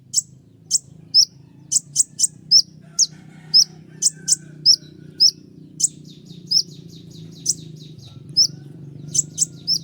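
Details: Sunbird (kolibri ninja) from Indonesia, its sharp 'tembakan' phrases used as a master song for training songbirds: very high, thin chirps and short sliding notes in quick bursts, often paired, over a low steady hum.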